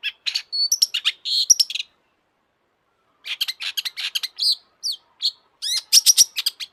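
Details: Long-tailed shrike singing hard, a lure to get shrikes to sing: rapid bursts of harsh, clicking and scratchy notes mixed with short whistles, a gap of over a second, then another long, busy, varied run.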